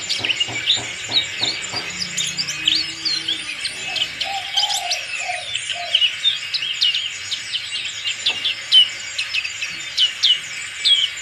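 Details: Black-capped white-eye, a fighter bird singing with its crest raised: rapid high, thin chirps and short twittering phrases in a dense stream, with low cooing notes in the first seconds.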